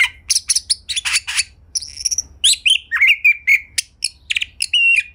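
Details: Captive white-rumped shama singing a rich, varied song meant to prompt other shamas to sing; rapid bursts of harsh chirps, then clear whistled notes sliding down, mixed with buzzy trills and mimicked phrases, loud and continuous.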